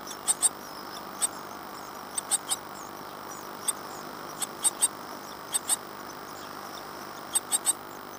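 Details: Great tit young in a Falmouth, UK nest box, two weeks after hatching in April 2011. Sparse, brief, very high ticking peeps come singly or in pairs and triples, separated by quiet gaps.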